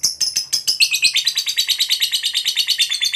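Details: Lovebird, a fighter-type bird, in a long ngekek trill meant to provoke a rival: a fast, steady run of high, harsh chattering notes, about three per second, opening with a few separate chirps before settling into the rapid series.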